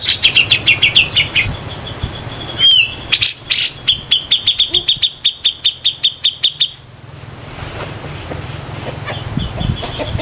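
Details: Grey-cheeked bulbul, a local bird compared with a Sumatran one, used as a tutor recording with a harsh rasping song: a rapid, regular series of loud grating notes that stops abruptly, followed by quieter background.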